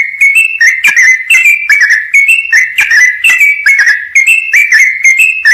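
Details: Sooty-headed bulbul pouring out a continuous, full song meant for training other birds: clear, whistled, slightly slurred notes alternating up and down, repeated about twice a second without a break.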